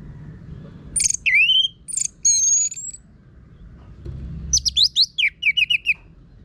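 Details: Harsh-voiced Orange-headed thrush singing as a training lure for birds: sharp, high whistled notes and a long thin whistle, then after a pause a fast series of descending chirps and trills, with faint low hum behind.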